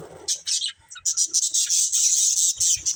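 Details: A colourful budgerigar breeding pair gives a run of very high, buzzy chirps and drawn-out squeaky notes, nearly continuous after a short opening pause.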